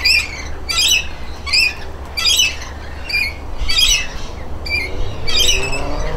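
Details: Shrill, grating screeches from a rainbow lorikeet pair having a private bath, spaced about a second or so apart in an uneven series, with faint low hum beneath.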